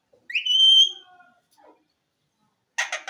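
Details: Pet green ring-necked parakeet talking: a loud rising whistled note with a bright overtone, a softer lower tone fading after, then a short harsh burst of speech-like syllables at the very end.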